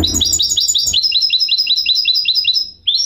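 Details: Singing goldfinch hybrid, a mule: bright repeated upslurred chirps delivered quickly in a steady trill, changing to a higher note partway, then a brief pause and a new phrase starting, over faint low noise.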